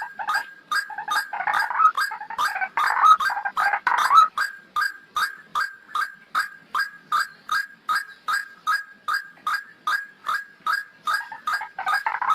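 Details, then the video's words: White-breasted waterhen lure call, known locally as pikat ruak-ruak, used for trapping. A jumbled croaking burst opens, then settles into evenly spaced, hoarse single notes repeated just under once per second. "PIKAT RUAK RUAK"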